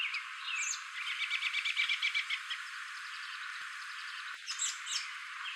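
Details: A male common grackle (Quiscalus quiscula) calls before flying away, a fast rattling run of clipped, buzzy notes for about a second, framed by thin squeaky whistles, over steady background hiss.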